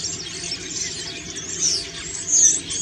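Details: Common starling in autumn song while preening, a brief run of soft chatter ending in two louder high squeals.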